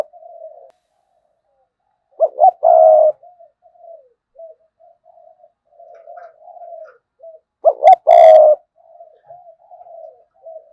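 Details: Spotted dove kept as a decoy, cooing two loud phrases of stuttering notes and a sustained coo, while fainter doves answer with quiet drawn-out coos throughout; a sharp click sounds during the second phrase.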